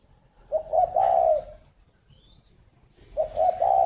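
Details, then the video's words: Captive breeding spotted dove from a dove-keeping farm in Ba Vì, Hanoi, Vietnam, heard in the morning. One low, mellow three-part cooing phrase, a short note and then a longer drawn-out coo. A second phrase begins after a quiet pause. "tiếng chim cu đẻ"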